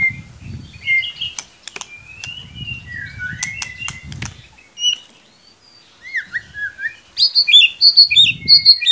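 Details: Lure song of a white-rumped shama to get a young bird singing: varied slurred whistles and clicks with low thuds, ending in a fast run of high ringing notes.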